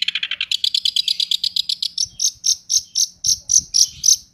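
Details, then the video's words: Long-tailed shrike in 'roll tembak' song: a quick ticking rattle that slows into louder, evenly spaced harsh notes at about four per second, ending abruptly. "Cented Gacor Roll Tembak Full Materi Speed Rapet"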